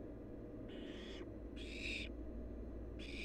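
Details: Barn owl nestling, wild, calling from its nest: three rasping, noisy hisses, each about half a second long and spaced roughly one and a half seconds apart, over a constant low hum.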